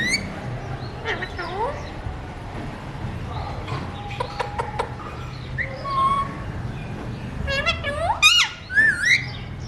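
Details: Talking Alexandrine parakeet, a mutation-colour bird, giving scattered whistled phrases, short rising and falling notes and speech-like harmonic bursts, with several sharp clicks near four seconds and louder squeaky syllables toward the end over a steady background hum.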